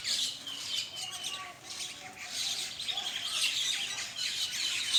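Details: Common myna flock during a morning feed in Bangladesh: a dense, continuous chatter of high chirps and squeaks with a few lower whistled notes in the background.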